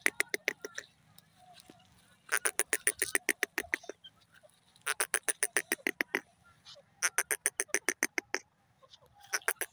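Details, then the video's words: Grey francolin (dakhni teetar) calling in loud bursts of rapid, harsh, evenly spaced clicking notes, about three to four per second, each burst lasting one to two seconds with short pauses between; faint chirps from other birds behind. "dakhni teetar ki beautiful awaaz"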